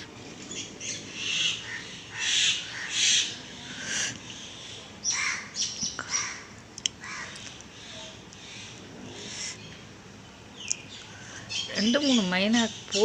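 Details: Two mynas in one tree calling back to two more nearby trade harsh, squawky, chattering calls in quick overlapping bursts, about two a second, during rain; a man's voice talks briefly near the end.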